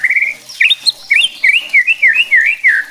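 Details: White-rumped shama singing to stir other shamas into aggression: a sustained whistle, then a series of looping, wavering whistled notes repeated about four times a second.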